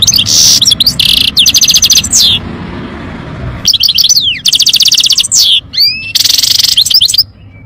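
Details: Lively European goldfinch song with fast repeated tinkling trills, buzzy rattles and upslurred whistles in several bursts, broken by a pause of about a second, with low background hum.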